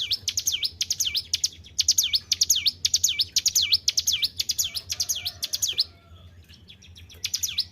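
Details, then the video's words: Caged white-browed shortwing, kept and cared for by its owner, singing actively: loud, rapid repeated V-shaped whistled notes, about two per second, dipping and rising sharply, pausing briefly near the end before resuming; low steady hum underneath. "GACOR IDOLA PARA SUHUU..BURUNG CIBLEK GUNUNG"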